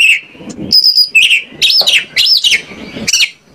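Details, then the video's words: Oriental magpie-robin singing as a lure for other birds: a rich stream of whistled and buzzy notes, rising slurs and chattering phrases with hardly a pause. "PANCINGAN KACER AGAR ON MAU NGOBRA !! KACER MANAPUN PASTI LANGSUNG NYAUT"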